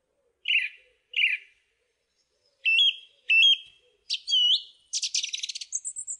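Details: Song thrush singing: bright phrases each given twice, first a pair of short chirpy notes, then a pair of whistled slurs, a twisting pair, and finally a rapid chattering trill and a thin high note.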